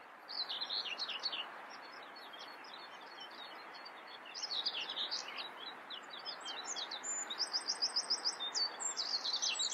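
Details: Singing common whitethroat gives several separate bursts of scratchy, chattering high notes, ending in a quick series of evenly repeated pulses, with continuous broadband hiss beneath.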